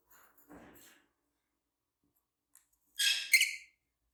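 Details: Green Fischer's lovebirds, a pair: after faint low rustling, two quick harsh, high chirps run together near the end, then quiet.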